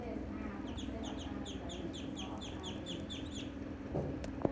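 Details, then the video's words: Baby ducks give soft, high peeps, repeated steadily at about two per second, over a constant low hum and faint background noise, with a couple of light knocks near the end. "baby ducks sounds"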